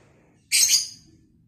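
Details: Lovebird recorded for vocal training, giving one harsh, shrill, buzzy screech of about a third of a second. The screech rises abruptly, fades quickly and is followed by quiet low hum.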